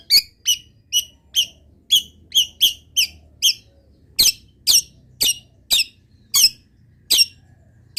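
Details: Long-tailed shrike giving a steady series of sharp, high chips about twice a second. Each note is a bright, clipped squeak, repeated evenly with almost no variation against a quiet background.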